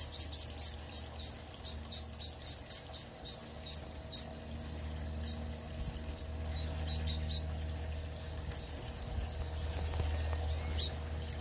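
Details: Gouldian finches in a new backyard aviary, recorded on a Samsung Galaxy Note 9: a quick run of thin, very high chirps, fast at first, then sparser and fading, over a low steady hum.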